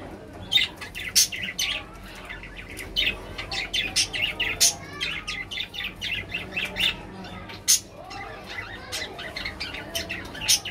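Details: Budgerigars, called Bajri parrots, giving rapid high chirps and squeaky warbling notes in quick irregular bursts, several calls overlapping with sharp clicks, steady low background hum.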